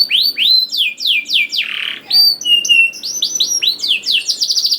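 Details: Singing canary meant to coax young birds to start singing: a rapid run of bright, high whistled notes sweeping downward, a brief harsh note, then quick chattering cuit-cuit phrases rising and falling in tight succession.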